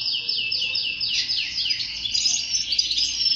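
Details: Male canary in song, meant to excite other males into singing: several quick downward-slurred whistles, then a rolling, warbling trill that carries on steadily to the end.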